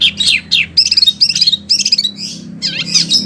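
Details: Wambi song, a selected recording used for training oriental magpie-robins and other birds: high chirped and trilled notes come in quick bursts, about two per second, with short buzzy runs and a soft low hum underneath.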